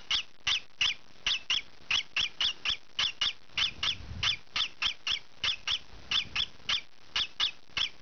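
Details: Juvenile green pied rosy-faced lovebird calling while it scratches: sharp, raspy chirps repeated three to four times a second, with faint low rustling of scratching under the calls.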